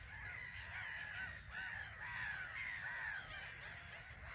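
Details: Crowd of black-headed gulls on an island at RSPB Frampton Marsh, coming and going; dense overlapping rasping cries, each a short arched note, rising and falling in several waves across a busy chorus.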